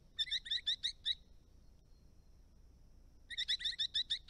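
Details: Eastern rosellas, resident parrots on an Australian rural property with ponds and dams: two quick bursts of about six sharp, metallic, high-pitched notes, each burst lasting under a second, separated by a quiet pause.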